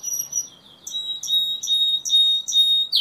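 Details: A Timbrado canary gives clear, steady high whistled tones broken into short phrases, each starting with a sharp downward sweep, repeated roughly every half second.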